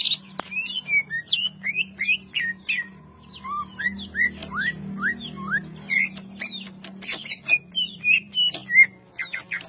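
A greater green leafbird sings a fast, varied run of sweet whistles, rising slurs and sharp chips that barely pauses, over a low steady hum.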